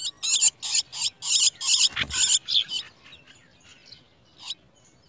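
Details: Chestnut-tailed starling young at the nest while a parent brings worms: harsh, raspy high-pitched bursts in quick succession for about two and a half seconds, then fading to faint scattered calls, with one more short burst near the end.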